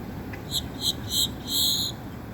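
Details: Great-tailed grackle making a short series of four harsh, hissing high-pitched notes, the last one longest and drawn out, over a thin steady high tone and low background rumble.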